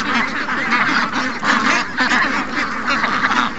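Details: A flock of over 700 ducks and geese rushing out in the morning, loud overlapping nasal quacks and honks forming a continuous chorus.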